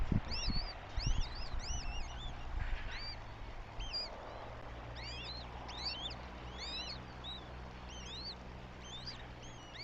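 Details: Northern goshawk nestlings begging at the nest in Tartu, Estonia, on 9 May 2025: thin, high, slurred peeps, several overlapping at an uneven pace about once a second, over a steady low rumble of wind.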